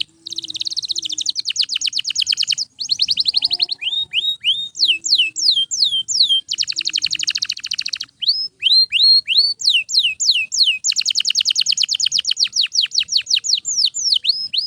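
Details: Canary singing loudly and without pause, a song used to train other canaries: rapid buzzy trills alternate with runs of sharp downward-slurred whistles and rising notes, about three notes per second, bright and high-pitched throughout.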